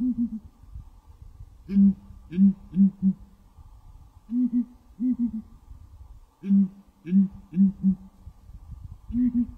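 Southern ground hornbill giving deep, resonant booms in runs of three or four, each run answered by another low series, repeating every few seconds over a faint hum.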